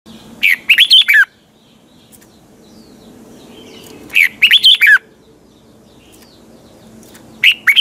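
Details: Red-whiskered bulbul kept in a cage, singing a morning song in the 'giọng kép xoắn tít' (double twisting voice) style used to train other birds. Three short, loud phrases of rising and falling whistled notes come about three seconds apart, separated by quiet low hum.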